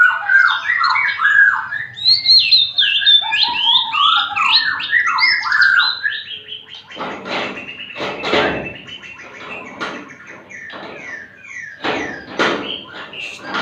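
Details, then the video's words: Magpie-robin, reportedly unstressed despite disturbance from children at play, delivers fast looping whistled phrases for several seconds, then sings on more softly beneath repeated loud clattering knocks. "Murai suara mantap"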